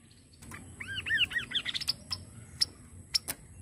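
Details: Softer Kaso kaso phrase: several arched whistles that hurry into rapid short notes, mixed with crisp ticking clicks and low background hiss.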